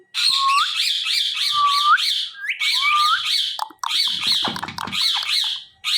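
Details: Talking parrot giving loud, harsh squawking phrases, each ending in a sliding, rising whistle, repeated about once a second with short gaps between bursts.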